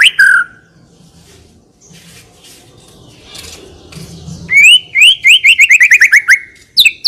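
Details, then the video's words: White-rumped shama in full isian song: one loud slurred note, a quiet gap of about four seconds, then a rapid shot-like tembakan run of about a dozen repeated downslurred whistles, ending in a sharp flourish. "MURAI BATU PILIHAN GACOR TERUS FULL ISIAN MEWAH FULL TEMBAKAN DURASI"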